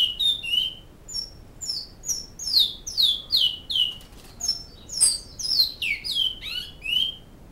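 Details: Great-billed seed finch song of the flauta style, recorded in Canoas: a steady run of pure whistled notes, each gliding down, repeated roughly twice a second with a brief break midway.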